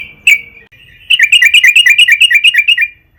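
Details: Sooty-headed bulbul (trucukan) in long, steady song, used as a lure to make other trucukan sing: one loud note, a pause, then a rapid regular run of about twelve crisp chirps.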